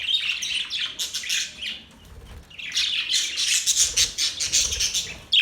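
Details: Budgies making happy sounds: a scratchy run of chirps, a brief lull near two seconds, then a louder burst of fast ticking and warbling chatter.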